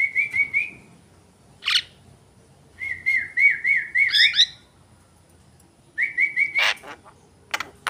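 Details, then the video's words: Caged Javan myna singing in full voice; short runs of wavering, quavering whistled notes, each phrase cut by a sharp harsh rasp, repeated three times with quiet gaps between. "jalak kebo gacor"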